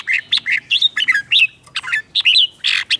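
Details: Red-whiskered bulbul singing in competition to provoke other birds, a dense run of liquid, warbling whistles that bend up and down, delivered in rapid clusters with brief pauses.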